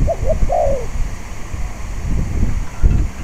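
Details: One spotted dove phrase opens the recording: two short mellow coos, then a sustained coo curving down. Strong wind buffets the microphone at this decoy-trapping site on a breezy day.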